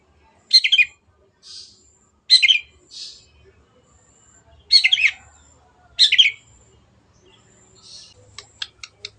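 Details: Long-tailed shrike singing actively as a lure for reluctant birds: short grating bursts separated by pauses, each followed by a faint echo-like note, with light ticking sounds near the end.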